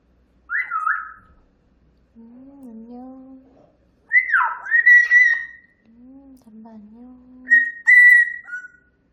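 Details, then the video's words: Grey parrot kept as a pet, chirping noisily in the morning: clear whistled notes alternating with low, hoarse, speech-like murmurs, in bursts separated by short pauses, quiet room. "아침에 지저귀는 회색앵무 소리"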